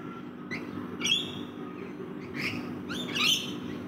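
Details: Several rainbow lorikeets feeding in a backyard give scattered rasping, squealing calls, three or four loud bursts in a few seconds, set against a constant low droning hum.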